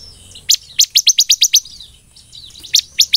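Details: Bar-winged prinia (ciblek) in active 'nembak belalang emas' song: a quick run of about seven loud, sharp high notes, a short pause, then a few more spaced piercing chips.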